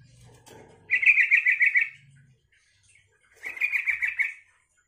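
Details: Yellow-vented bulbul singing to draw replies from other bulbuls: two quick rattling, bubbly phrases a couple of seconds apart, each a run of seven or so rapid pulses at a steady pitch, with faint soft rustling beforehand.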